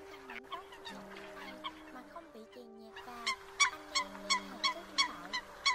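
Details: Flock-gathering calls of Eurasian coot, played to lure migrating birds into nets at night: soft scattered notes, then a brisk run of loud honking kowk calls about three per second over droning background tones.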